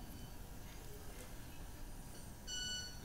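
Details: A Club-winged Manakin (Machaeropterus deliciosus) sings with its wings, vibrating feathers producing one brief, ringing violin-like tone near the end, over a low hum of room noise.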